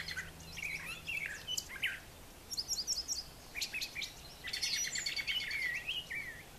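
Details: Morning song of a brown thrasher on a farm yard with brushy nesting areas; rapid varied phrases of buzzy, slurred and chipping notes, loud and dense, with a faint low hum early on.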